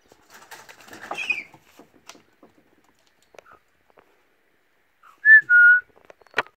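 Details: Young pet Australian magpie being taught to whistle: a soft scratchy warble, then two clear pure whistled notes near the end; light rustling and handling sounds first.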